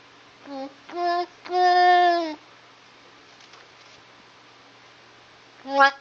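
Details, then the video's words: A talking mynah says "What did you do?" in a slow version: three drawn-out, voice-like syllables and a final rising note, low and childlike in pitch, in a quiet room. "Mynah - Talking Bird - What Did You Do?"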